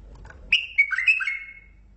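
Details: Mandali bulbul producing one short, liquid warble of rising and falling whistled notes lasting about a second.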